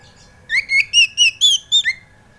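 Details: Oriental magpie-robin (kacer) song used as a lure to make an untrained kacer sing: a single clear phrase of seven ringing whistles, rising in pitch through the middle, then dropping on the last note.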